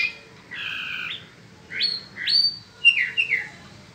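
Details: Peninsular mockingbird in spring giving a steady buzzy two-tone note, then a pause, then quick rising and falling whistled phrases and sharp chips.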